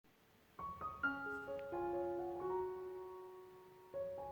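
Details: Gentle piano music plays, with single notes and held chords sustained over a quiet background and no animal voice heard.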